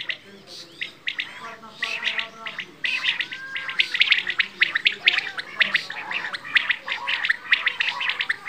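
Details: Quail, called bedana or batair, in a busy stream of short high chirps and chattering notes that grows denser and louder after the first few seconds.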